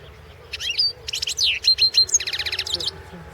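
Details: European goldfinch singing in a goldfinch song competition recording from the 2016 World Championship: a dense, fast run of high twittering notes, then sharp whistled slurs, ending in a rapid, evenly repeated buzzy trill.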